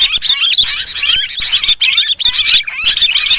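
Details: Sooty-headed bulbuls in a noisy lure recording used to draw all kinds of birds together: dense, overlapping bright chirps and warbled notes, continuous and busy, with brief dips between bursts.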